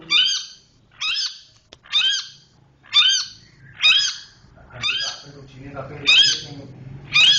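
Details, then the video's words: Cendet, the Long-tailed shrike, giving its 'roll speed rapat' song: strident, rasping high notes repeated roughly every second, eight in sequence, with a low background murmur. "cendet roll speed rapat"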